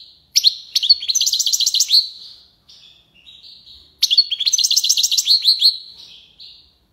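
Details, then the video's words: European goldfinch, tiwawati and lipassade song: a sharp chip, then about two seconds of quick, liquid twittering notes, a soft gap with faint whistles, and a second near-identical twittering phrase. "مقنين(حسون) تيواواطي ليباساد روعة"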